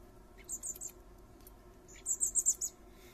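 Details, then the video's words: Common blackbird fledglings, three of them, calling while their father feeds them in a garden: two quick bursts of four or five very high, thin squeaky chirps, about a second apart, over a quiet background hum. "Blackbird dad feeding his babies"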